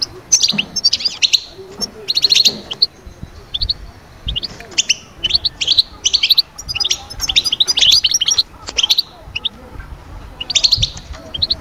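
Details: Goldfinch song played to lift birds from moult quiet into summer breeding vigour; liquid, high twittering bursts and quick trills repeat steadily in clustered phrases over a quiet background.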